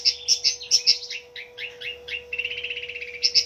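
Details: Long-tailed shrike, a fighter bird in full song meant to prompt stressed, silent shrikes to sing. Piercing high chips open, then downslurred buzzy phrases and a fast rattling trill, with a constant faint hum.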